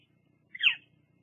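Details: At the Fraser Point nest on a July 2022 evening, a preening female bald eagle gives one short high squeak with a quick lead-in note, falling in pitch; low live-cam hum beneath.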